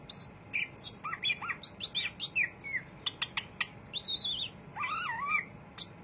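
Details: Greater green leafbird (cucak ijo) singing in its busy ngriwik chattering style: a rapid, varied string of high chirps, short sharp notes and wavering whistled phrases, with slurred rising and falling notes near the end.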